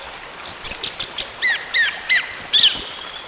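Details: Orange-headed thrush, song for coaxing a silent bird into singing: a string of very high thin notes followed by clear upward-sweeping whistles, then more high squeaky notes.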